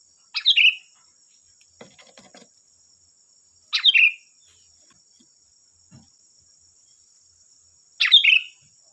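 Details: Sooty-headed bulbul repeating a brief, burbling whistled phrase about every four seconds, used to coax other bulbuls into singing; soft clicks between phrases and a continuous faint high whine.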